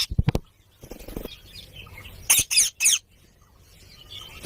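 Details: Rose-ringed parakeets (pet "mitthu" parrots, awake early morning) give three harsh, grating screeches in quick succession while squabbling and fighting, after a man's voice speaking at the start.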